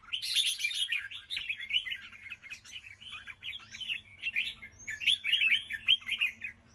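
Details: Red-whiskered bulbul song in a competitive singing style: a continuous run of warbled, chattering phrases with slurred notes, loud bursts and short quieter gaps, over a faint low hum.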